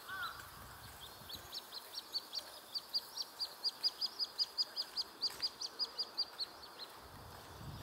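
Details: A little grebe, one of a family with parents and three juveniles on a pond near a mountain trailhead, gives a long series of high, sharp notes, about three per second, swelling then fading over several seconds against soft hiss.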